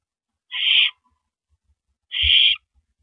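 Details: At a barn owl nest, April 9, 2012, around 8:45 PM, while the male brings in prey, a mouse, vole or gopher. Two rasping hiss-screeches about a second and a half apart, with a faint low bump between.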